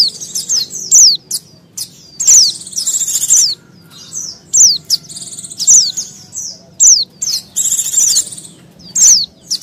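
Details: Noisy white-eye calls for luring wild small birds: dense run of high downslurred chips and scratchy buzzes, several overlapping, with brief pauses, over a low droning background.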